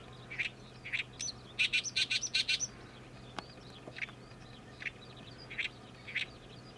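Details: Oriental reed warbler, a summer migrant back for the season, singing noisily: harsh, grating notes spaced about half a second apart, broken by a fast run of loud, buzzy, chattering bursts in the middle, with a steady low hum underneath.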